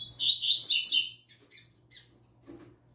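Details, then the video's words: Young, newly started double-collared seedeater kept as a songbird, singing the "tui tui zel zel" style: a loud run of whistled, buzzy notes around mid-high pitch for about a second, then faint scattered chips; low indoor hum beneath. "OLHA O CANTO DO PAPACAPIM FILHOTÃO NOVATO!!! ELE ENCARTOU O TUI TUI ZEL ZEL!!!"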